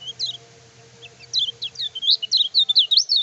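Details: Kecial kuning (Lemon-bellied white-eye) in vigorous song used to rouse rival birds; a few scattered high notes lead into a swelling, rapid sequence of twisting whistled phrases, getting louder and denser toward the end over a faint low hum.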